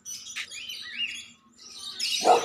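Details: Caged lovebirds kept by a neighbour alongside pigeons, giving sliding, warbled chirps in quick bursts, then a louder burst of harsh chattering at the end; no other clear sounds.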